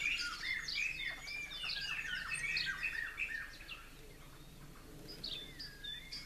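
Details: Blue-crowned laughingthrushes in an aviary, two young fledged the day before perched atop a conifer while parents feed them; dense overlapping high chirps, squeaky notes and whistled upslurs, busiest in the first four seconds, then sparser.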